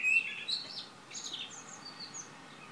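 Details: Morning birdsong from Šilo, Krk island, Croatia, recorded 3 June 2015. A sharp high burst opens, followed by scattered thin chirps and whistles that fade to quiet.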